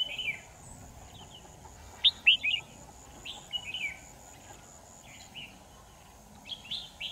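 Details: Trapping decoy red-whiskered bulbul, 10 December 2018, sings a series of brief, bright whistled phrases, each a quick rising and dropping warble, repeated with short pauses over a faint hum.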